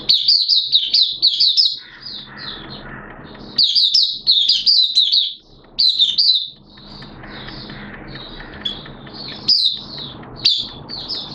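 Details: Oriental white-eye, locally Mata Puteh, a caged hobby bird opening song on 11 September 2022 in wet, erratic weather: dense bursts of shrill twittering alternating with quieter spells filled by background rumble and hiss.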